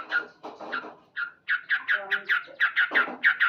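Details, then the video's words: Loud male yellow-vented bulbul heard in the morning, a broken opening of harsh notes followed by a steady run of bright chattering syllables, with lower buzzy tones underneath in the middle. "Terapi Burung Trucuk Gacor"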